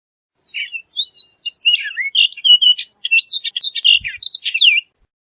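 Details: Orchard oriole song, a continuous four-second run of quick chattering, whistled and slurred notes that jump up and down in pitch; a faint low thump near the end.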